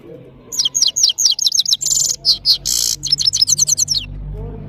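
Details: European goldfinch (saira) of Parachinar in powerful continuous song: rapid high twittering notes mixed with harsh, noisy buzzes, then a run of quick descending chirps.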